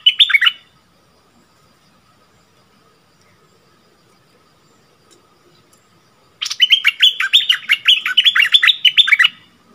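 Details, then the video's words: Bulbul kept as a decoy in a cage, singing to attract wild birds on 28 February 2021: a brief opening burst, then a long quiet gap, then an energetic three-second run of sharp, descending whistled notes. "เสียงนกดอกแตงEp.34Bird soundsถิ่นนี้ดุทุกตัว!นกต่อร้อง3ดอกถึงกรง"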